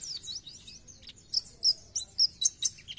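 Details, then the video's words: Oriental white-eye singing in the 'gacor nembak' style to make other white-eyes sing more: soft high twittering, then a series of sharp, loud, separate chips about every quarter second. "PLECI GACOR NEMBAK BIKIN PLECI TAMBAH GACOR"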